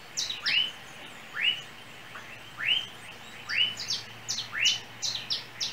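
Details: In Trinidad, a small yellow bird on overhead lines repeats upward-sweeping chirps roughly every second, with thin high notes scattered between them.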